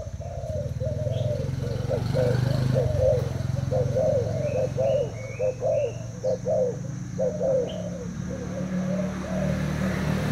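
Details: Thai spotted dove caged for two days in a cooing contest with a decoy: repeated low coos about once a second, with small birds chirping faintly and a loud low rumble in the background.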